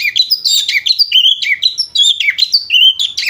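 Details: Loud, continuous ngriwik chatter of an Oriental magpie-robin, said to sound like a lovebird: dense stream of high squeaky whistles sliding up and down, with no pauses and a clean background.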